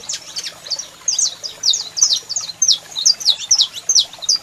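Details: Saffron finch (Sicalis flaveola) male singing a great deal: a fast, steady run of high, sharp chirps with quick downward slurs, four or five notes a second, mixed with overlapping calls from a female calling.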